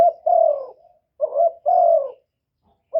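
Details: Spotted dove kept as a decoy for luring wild doves, recorded without other noise: two low, husky coo phrases, each a short burr followed by a long, smooth note, and another beginning at the end.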